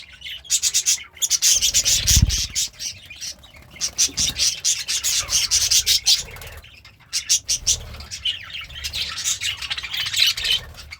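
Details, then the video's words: Happy pet budgerigar eating greens, delivering long runs of rapid scratchy, buzzy chatter in bursts separated by short silences, with a couple of low thumps. "The Sounds of a Happy Budgie - Chirping, Singing, and Eating Greens"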